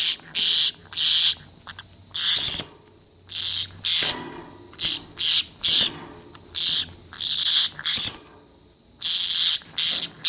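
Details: Pet conure making unusual, strange sounds: short harsh hissing bursts, high and noisy, repeated in quick runs with brief pauses, roughly two or three per second, in a quiet indoor room.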